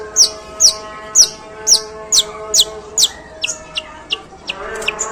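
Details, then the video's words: Coarse sparrow-like calling from a long-tailed shrike: loud, high, down-slurred chips repeated about twice a second, fading into softer, quicker notes, over steady low tones. "Suara pentet tembakan gerejaan panjang dan kasar"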